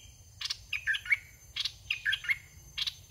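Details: Caged red-whiskered bulbul used as a decoy in rural trapping, short bubbly warbled phrases repeated about every second, mixed with sharp broadband clicking bursts and a low rumbling hum underneath.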